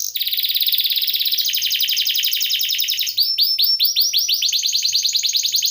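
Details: Rolling canary song meant for tutoring other cage birds: dense, rapid trills that shift between phrases, ending in a series of upswept whistled notes repeated about three times a second.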